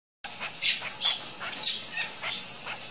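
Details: Baby flicker chittering: harsh, scratchy high bursts at irregular intervals, about one every half second, with louder squeaky notes near the middle, over a steady hissing background.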